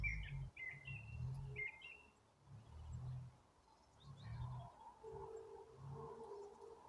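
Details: Several quick twittering phrases from birds starting to sing in April open the recording, then give way to a steady low rumble and a faint humming tone.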